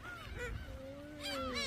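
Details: Several gulls at Dolmeori Beach, Hampyeong, on a day with rain forecast, crowd in line around a man feeding them snacks, giving harsh, nasal, yelping calls that overlap and rise and fall, over a low murmur and faint human voices.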